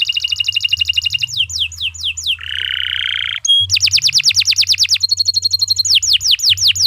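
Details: Canary's long gacor song, used as a master for training other birds: a rapid trill and falling slurs, then a harsh broad buzzy burst, a pure whistle, and a loud rolling tour of swept notes, with a low hum.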